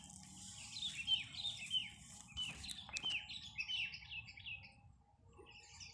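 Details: Wild sooty-headed bulbul singing in nature, recorded as a lure to make birds kept at home answer: a series of short, bright, downward-slurred chirping notes about every half second, fading after five seconds, over a quiet background.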